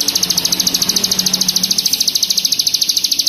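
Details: Hill prinia, wild chattering lure material, giving a fast, even string of sharp, high notes, about nine per second, with a faint low hum underneath.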